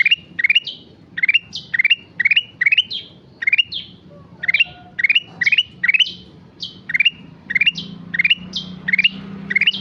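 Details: Sustained, persistent sooty-headed bulbul song: a near-continuous run of brisk rising note clusters and slurred chirps, dense and rhythmic, with a faint low hum underneath toward the end.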